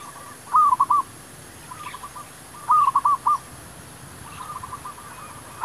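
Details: Zebra dove song used for luring wild doves into a trap: crisp trilled series of four or five looping coos, repeated about every two seconds. Softer dove series answer in between, over quiet surroundings.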